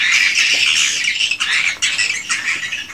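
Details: Swiftlets in a swiftlet house, an unedited original recording: a dense wash of high, harsh chattering and twittering from many birds, continuous and overlapping, with no pauses.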